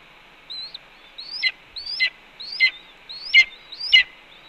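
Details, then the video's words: Red-tailed hawk calling at its nest on the Cornell campus, 4 May 2013 at 1:29 PM, while its mate brings two voles and calmly eats a pigeon; a run of high chirps slurring downward, about every 0.7 seconds, in a quiet background. "BR Vocalizes"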